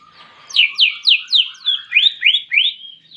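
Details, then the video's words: Cucak ijo singing with canary-style mimicry: a fast string of eight high, sharply descending sweeps at about four per second, the later notes turning into rising slurs, over a faint steady lower tone. "Cucak Ijo Gacor Isian Kenari"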